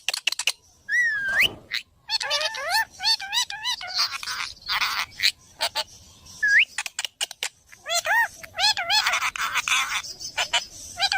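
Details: Parrot making funny sounds: rapid wavering, warbled notes and clicks in dense bursts, with two short upward-swooping whistles among the chatter.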